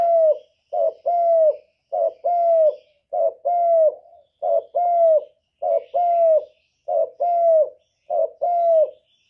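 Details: Male spotted dove calling to stimulate a female to lay eggs; steady series of eight soft, low cooing phrases, each a quick paired note then a drawn-out descending coo, evenly spaced about every 1.2 seconds with no other sounds.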